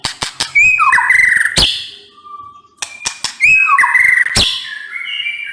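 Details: Murai batu, the white-rumped shama, singing hard: sharp clicks and rising whistled notes with tumbling warbles, a loud snap ending each phrase, separated by a short pause holding a faint steady tone.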